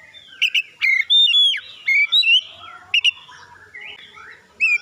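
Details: Oriental magpie-robin singing as a lure to prompt other birds: bright whistled phrases that bend up and down, mixed with high thin chips, in quick clusters separated by brief gaps.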